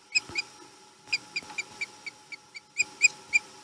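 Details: Osprey at a Chesapeake nest in March 2020 as the male returns: scattered sharp high chirps, some doubled, irregularly spaced over a faint steady hum and light background noise.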